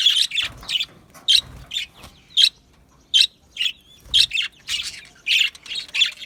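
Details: Australian budgie parrots in an aviary, sharp separate chirps spaced roughly every half second, each a quick high scratchy note, some doubled, with near silence between.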